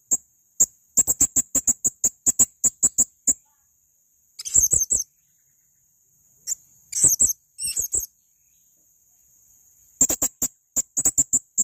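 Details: Male blue-crowned hanging parrot uttering a long run of sharp, very high ticks in quick succession, broken by short shrill chirping bursts and pauses, with a thin constant high tone behind.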